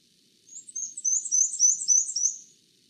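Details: A Black-and-white Warbler, a Newfoundland breeding warbler, sings a thin, very high series of quick two-note squeaks, seven or eight in two seconds, like a squeaky wheel turning.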